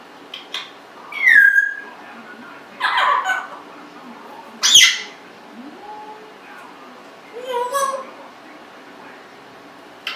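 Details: Pet Congo African grey parrot, 1.5 years old, indoors, producing scattered squawks, a falling whistle and burp-like noises spaced a couple of seconds apart, mixing harsh bursts with tonal sounds.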